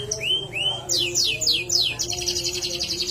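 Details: Singing canary giving rising whistled notes, a run of sharp descending slurs, then a fast chattering rattle of high pulses, with a faint low drone beneath.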